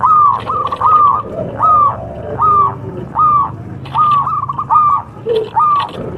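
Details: Local contest zebra dove producing slower hooked coos in a loose rhythm, roughly one every second, over faint lower cooing from other doves.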